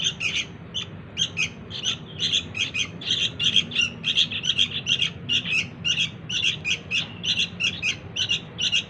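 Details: Sooty-headed bulbul nestling calling for its parents, a rapid, nearly continuous string of harsh, buzzy high chirps, several per second, with a low hum underneath.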